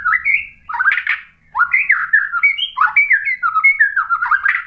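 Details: White-rumped shama singing, played as a lure to stir another bird to answer: a brief whistled phrase and a harsher burst, then a long flowing string of varied clear whistles with quick upward and downward slurs.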